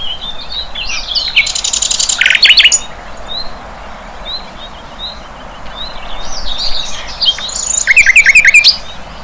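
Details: Flycatcher in the wild, a thin high twittering warble running throughout, broken twice by loud bursts of rapid, harsh, buzzy chirps near the start and again near the end.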